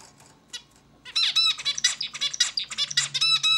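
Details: A zebra finch indoors gives a couple of short calls, then a fast string of raspy, buzzing and nasal harmonic notes packed closely together, with a steady low hum.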